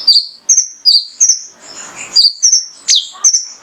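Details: Male mangrove whistler whistling to spur other birds into song: clear high downslurred notes and level piping whistles about three per second, with a short rustling sound in the middle.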